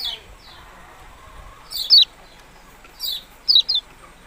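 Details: Yellow-bellied prinia calls: high, short, down-slurred chirps in loose pairs separated by pauses of about a second, over a low hum of background noise.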